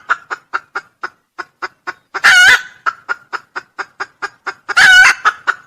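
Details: Red junglefowl used as a lure call: a long series of quick, regular clucking notes, interrupted by two loud, grating crows about two and a half seconds apart.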